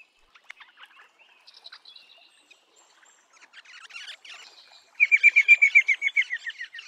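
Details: Eastern rosella calling in natural habitat: soft scattered chirps and whistles at first, then a loud fast run of about a dozen sharp, evenly spaced piping notes over the final two seconds.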